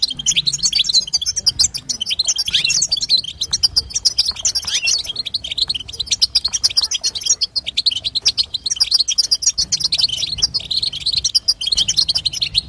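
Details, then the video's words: Long unbroken run of high, tinkling European goldfinch twitter from a female, played so a male will start singing; rapid chirps stack densely throughout with slight surges in intensity. "بتبتة وستسته حسون تجعل الحسون يغرد"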